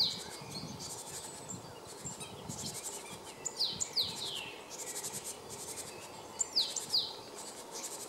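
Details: Male Great Tit at Jarun, Zagreb, Croatia, in March 2015, with fainter paired, steeply falling high whistles repeated about every three seconds amid steady background noise.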